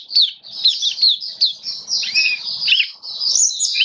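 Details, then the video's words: Caged Oriental white-eye, a kitaro-type bird in a song display test, singing a fast, high twittering run of sharp descending chirps and slurred notes, continuous with brief dips. "Mata Puteh Kitaro Buka Sing"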